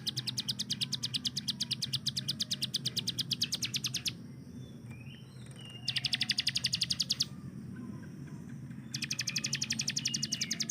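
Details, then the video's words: Hill prinia (ciblek gunung) tutor recording, used to train other songbirds, giving its rapid machine-gun "tembakan" song: long bursts of fast, evenly repeated sharp high notes lasting about four seconds, separated by short pauses, with low steady background hum. "CIBLEK GUNUNG || Melatih Speed dan Tembak Burung Gacoan"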